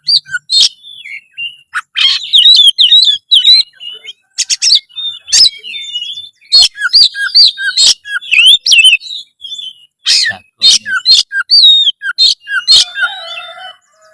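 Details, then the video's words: Loud, active song of an Oriental magpie-robin, used to stir breeding urge and readiness to fight: a dense, varied run of quick whistled phrases, chirps and sharp clicks, almost continuous for fourteen seconds. "masteran kacer gacor suara lantang menaikan birahi burung kacet ON tarung"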